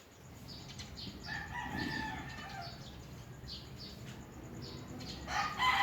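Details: A distant rooster gives one drawn-out morning crow over a steady background hum, while small birds chirp in quick high notes throughout.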